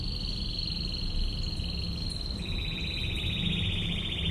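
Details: Canary holding a long continuous rolling trill at a high pitch, with a second lower roll stepping in partway, from 'tembakan ngebren' training song; steady low hum underneath.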